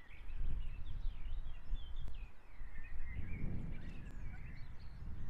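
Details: Osprey at a nest in Estonia, filmed by a live nest camera on 22 June 2017 at 17:50 as a bird brings a fish. A run of sharp, whistled chirps rises and falls throughout, over steady low wind rumble.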